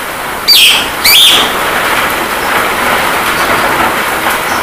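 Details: Javan myna on a training track for getting birds to sing and talk, set with rain sound therapy: two harsh, rasping bursts half a second apart, then a steady hiss of rain.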